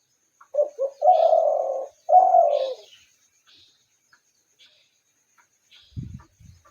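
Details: Spotted dove calling with low, hollow coos: two short soft notes lead into two long, even, drawn-out coos, followed by quiet faint sounds and a brief low thump near the end.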